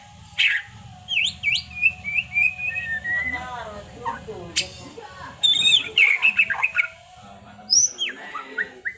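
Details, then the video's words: Caged white-rumped shama giving whistled, swooping phrases and sharp high notes mixed with quick chattering bursts, loud and varied throughout, over a steady low hum. "Masteran Murai Batu TRONTOLAN NGEROLLLLLLL Edan!! GACOR X Roll"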